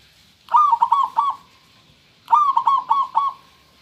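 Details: Local zebra dove with a clear voice, giving two bursts of song: a rising opening note followed by three or four quick, even cooing notes, the phrases about two seconds apart over a steady background hiss.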